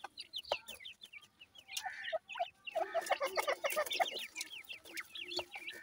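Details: Grey francolin chicks: many overlapping thin, quick chirps, some rising then falling, others slurred downward, coming in dense runs with short tinny clatters and knocks mixed in.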